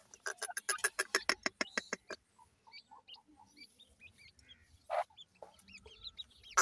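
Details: Grey francolin chicks (dakhni teetar) at feeding time. Some two seconds of rapid, loud broadband tapping open the recording, then thin, high, upward-flicked peeps come one after another, with a few louder bursts.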